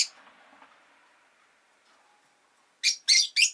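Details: Rosy-faced lovebird pet: a brief shrill chirp at the start, a low hum of street traffic, then three evenly spaced piercing chirps in quick succession at the end.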